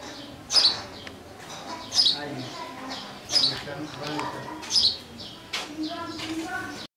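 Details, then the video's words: Sparrow giving repeated bright chirps about every one and a half seconds, with quieter lower notes between them and a low background murmur. "Sparrow Sound | Sparrow Bird Chirping Sound"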